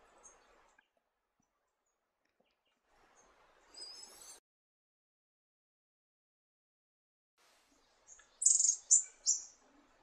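A Red-eared Firetail gives very high, thin whistled notes: a faint slurred pair early on, then three louder descending notes near the end, over soft background rustle.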